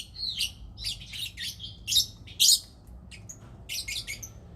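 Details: Lovebird during mating, softer scratchy high chirps and squeaks in quick irregular clusters, one louder harsh burst, then fainter twittering.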